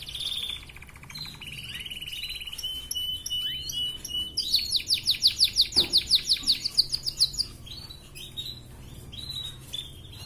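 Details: Red canary singing a lively ngerek song, offered as a master recording to raise breeding drive in females: a level whistled note, scattered chips, then a long loud rolling trill of rapid pulses lasting about three seconds.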